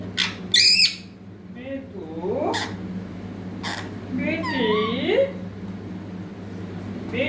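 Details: Baby parrot trying to speak: brief shrill squawks, then slurred, warbling, speech-like phrases that swoop up and down, separated by sharp clicks, with a low steady hum underneath.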